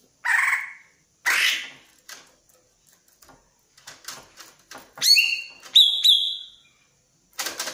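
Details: Greater green leafbird in breeding condition, eager to mate: harsh rasping bursts and scattered clicks, then a brief run of bright whistled notes.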